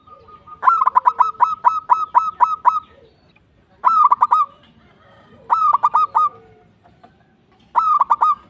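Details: Local zebra dove singing vigorously, a recording used to prompt other doves to sing: bursts of rapid staccato cooing notes, a run of about ten then shorter phrases of four or five, repeated with brief pauses.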